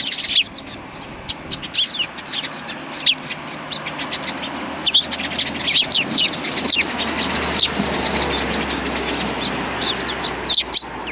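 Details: Flock of sparrows arriving for food at a shrine's front approach, 24 April 2020: dense sharp chirping, many birds calling at once in quick bursts, over a steady hum of passing vehicles.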